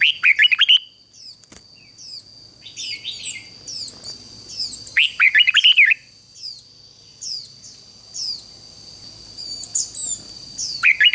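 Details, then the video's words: Lure bird, a red-whiskered bulbul, sings to attract wild birds and spur their song: short, lively whistled phrases every five to six seconds, separated by many soft, high descending chirps and a steady background whine. "Chào Mào Mồi Hót Gọi Chim Rừng Kích Chim Hót Hay"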